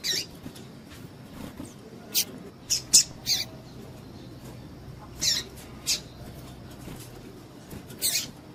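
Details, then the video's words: A female double-collared seedeater gives thin, piercing chip notes, about nine over eight seconds and some faint, to excite males for singing tournaments; light hiss behind. "PIADO DE FÊMEA DE PAPA CAPIM PARA DEIXAR SEU PAPA-CAPIM DOIDO"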